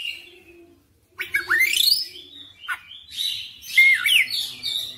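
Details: Oriental magpie-robin in persistent full song: a soft opening note, a silent beat, then a loud upward-sweeping whistle, a short sharp note, and varied whistled phrases including a clear slurred rising note.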